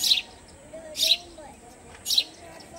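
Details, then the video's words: Sparrow inside a house giving three sharp, high chirps about one second apart, with faint low murmurs in the background. "Sparrow Bird in my House"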